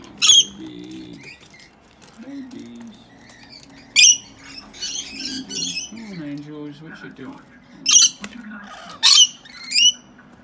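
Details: Caged pair of wild rescue baby rainbow lorikeets splashing in their drinking water, giving short, sharp, grating shrieks in scattered clusters across ten seconds, with quiet low voice-like mumbling and faint rustling between them.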